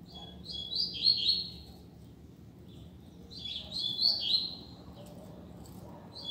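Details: Free-flying double-collared seedeater singing on a street, quieter and more distant: two high, quick twittering phrases with clear whistles, about three seconds apart, over steady background noise.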